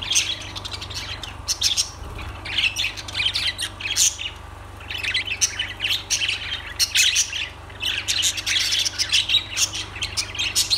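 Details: Continuous lovebird chatter of piercing chirps, twitters and raspy squawks, many birds calling at once in irregular rapid bursts over a low steady hum.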